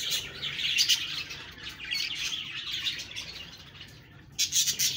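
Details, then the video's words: Several budgerigars chirp and chatter in a steady stream of quick high notes, dipping quieter before a final loud burst. "Budgies Birds talking sound Birds chirping sounds"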